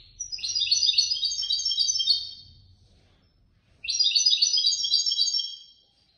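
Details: European goldfinch, third-prize competition bird from a Casablanca bird lovers' show, giving two sustained runs of fast, high, jingling twitters about two seconds long, with a short silence between them.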